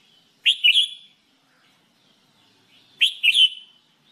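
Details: Singing-training recording of a red-whiskered bulbul giving two matching bubbly three-note phrases about two and a half seconds apart, each short, bright and whistled, with silence between.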